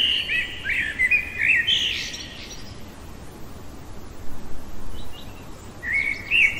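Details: A common blackbird sings in the middle of the night: a warbling fluty phrase at the start, several seconds of near silence, then a fresh mellow phrase beginning near the end.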